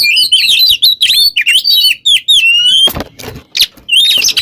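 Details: Oriental magpie-robin song meant as a model for training songbirds: quick bright chirps and twittering notes, a clean rising whistle near the middle, then a few harsh noisy bursts before more high notes.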